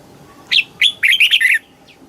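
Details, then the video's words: Red-whiskered bulbul in Thailand, southern-style song used to rouse caged birds or teach young ones; two sharp whistled notes followed by a fast burst of four rolling, slurred notes. "เสียงนกกรงหัวจุก สำหรับต่อ หรือ เปิดให้นกคึก เสียงเพราะๆ"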